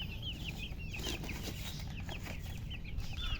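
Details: Chicks give spaced, clear high peeps, curved little notes that rise then drop, a few birds calling in loose alternation over a rough, noisy low background.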